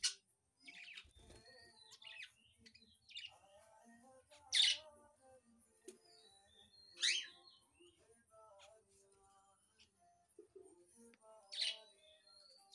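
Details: Budgerigar in the wild giving sharp, loud, downward-sweeping chirps spaced a few seconds apart, with softer twittering and faint steady tones between them.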